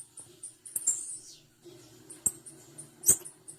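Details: Female blue-black grassquit producing very high, brief chips and one drawn-out buzzy descending slur, with a few crisp clicks and a low mechanical hum underneath.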